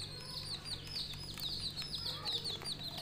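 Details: Coloured budgerigar chicks chirping together: rapid, bright, high chirps and short warbled notes overlapping almost continuously, many birds calling at once, with a low steady hum underneath.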